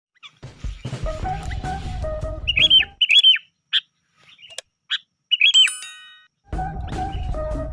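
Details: Sooty-headed bulbul lure call, plain without filler: a three-second run of short, sharp chirps and arched, rising-then-falling whistled notes. Loud buzzy, music-like tonal sound frames the calls at the start and end.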